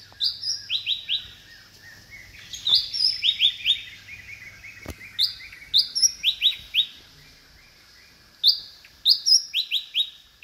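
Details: Loud, chirpy calls of a short-tailed green magpie recorded at Kinabalu Park in Sabah: series of a high clear note then a run of three or four bright descending chirps, repeated in phrases every few seconds.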